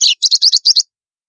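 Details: White-throated seedeater (golinha), the 'estalo' song style from northeastern Brazil used to warm up other birds: a rapid series of seven sharp, high snapping chips in under a second, then silence.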